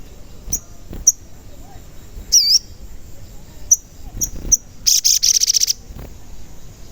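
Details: Sogon that often calls 'cuit cuit', used to make other sogon sing: sharp high chirps, a short slurred whistled note, then a loud, rapid, high-pitched pulsed trill lasting under a second.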